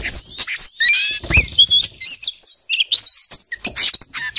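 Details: Gacor kacer poci, an Oriental magpie-robin, singing ngobra style with full mimicry: a trilled run of stacked notes, a rising whistle, then scattered sharp chirps and thin whistled phrases in rapid succession.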